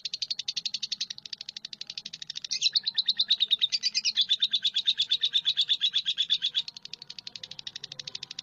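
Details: High, rapid lovebird chatter in a continuous stream, swelling louder midway with a brief squeaky flourish, then dropping back to a softer, quick pulse of repeated chirps.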